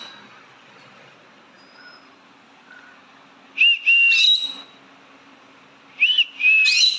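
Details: Pet green-cheeked conure calling its owner indoors: two paired whistled calls, each a short upturned note followed by a longer level whistle, about two seconds apart, over quiet room hum.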